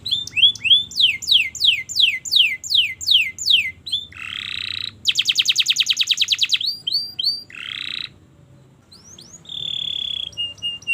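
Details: Vigorous canary song for training learners: repeated falling slurs, a harsh buzzy note, a fast ringing trill, another buzz, then quiet before high whistled notes return.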